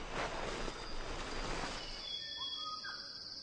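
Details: A male Magnificent Riflebird at his courtship display area in dense lowland forest gives his clear, powerful, far-carrying whistle, high notes with short rising slurs, after about two seconds of loud rushing noise.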